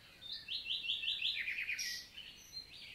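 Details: Wild common nightingale in daytime song, Lot valley forest, southern France, June 2023 morning: a short high lead note, then a rapid series of identical clipped notes, falling into a buzzy descending stutter and brief high whistles.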